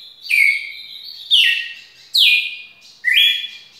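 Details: Red-cowled cardinal giving its long song: loud clear whistled phrases, each starting high and sliding down or stepping up, about one phrase per second, four phrases with short gaps, no other sounds.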